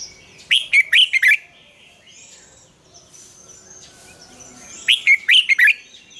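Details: A Red-whiskered bulbul sings the morning double-note song of a mature wild bird, recorded as a training lure. Two phrases of four quick, bright, warbled notes sound about four seconds apart. Faint background calls fill the quiet between.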